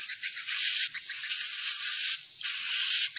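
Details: Lure recording meant to draw swiftlets into a building to roost: three long, loud bursts of shrill, buzzy chatter topped by a thin rising whistle, separated by brief gaps.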